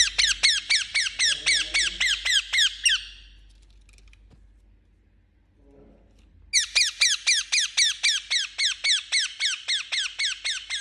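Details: A pet Indian ringneck parakeet gives loud, harsh squawks in a rapid, even series of about four per second. The bird pauses for roughly three seconds, then resumes the same grating rhythm.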